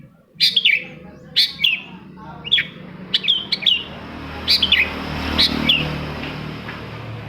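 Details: Long-tailed shrike song played to coax quiet birds into singing: sparse, sharp, downslurred chirps in twos and threes over a steady background hiss.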